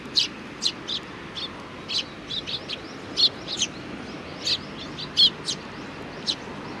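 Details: Several sparrows recorded at a Tenmangu shrine on 4 July 2019 give about a dozen sharp, high chirps scattered unevenly over several seconds over faint ambient noise.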